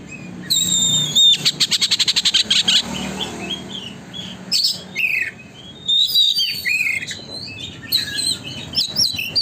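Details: Oriental magpie-robin singing vigorously, played as a lure so magpie-robins spread their tails: a fast rattling run of rapid repeated notes, then varied high whistles, chirps and slurred phrases in quick bursts.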